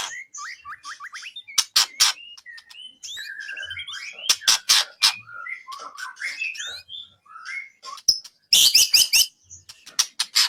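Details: White-rumped shama training song for bird contests: a long, varied medley of fluty whistles, quick twitters and slurred notes, broken by sharp harsh rasps and a dense chattering burst near the end.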